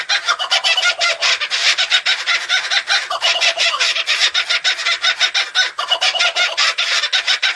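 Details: Kookaburra in full raucous laughter: dense, harsh cackling and chattering that runs without a break for over seven seconds, loud and scratchy throughout.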